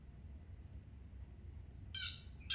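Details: A Blue Jay gives its most common call, one harsh, scratchy jeer near the end, with a second starting just as it cuts off, over a steady low room rumble.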